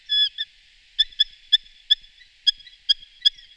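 A Eurasian hobby gives a longer opening note, then a series of about eight short, sharp, high notes spaced roughly a third of a second apart. Nothing else is heard.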